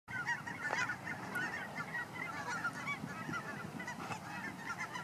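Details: Geese at Fern Ridge, a flock calling at once: a dense, continuous chorus of nasal honks that overlap without pause, with some softer low background rumble.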